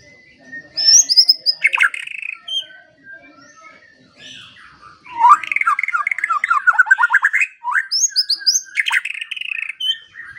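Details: White-rumped shama song for training quiet songbirds: scattered high whistles, then a long run of rapid, evenly repeated harsh chattering notes, with bright whistled phrases woven between them.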